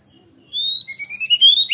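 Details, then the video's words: Oriental magpie-robin singing actively in ngeplong style, a lure for young birds. Following a short silence, a long rising whistle leads into a fast series of bright, climbing notes. "Kacer Gacor On Ngeplong Untuk Pancingan Kacer Bahan"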